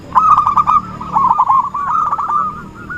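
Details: Lure recording of a zebra dove in full song for trapping: a quick, bubbling chain of clipped coos held at one steady pitch, fading slightly toward the end, with soft background hiss.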